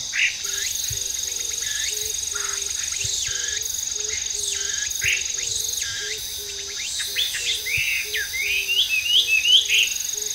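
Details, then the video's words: Hwamei singing in park trees in Japan, where it is considered invasive; scattered whistled notes build into a faster looping phrase near the end, under a steady high insect hum and a low repeated tone. "A Hwamei Singing Beautifully on the Trees"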